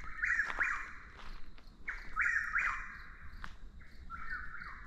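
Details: Repeated whistled phrases of a Chuck-will's-widow, a bird very vocal under certain light conditions, sounding three times with accented rising notes, about two seconds apart, over a faint high hum.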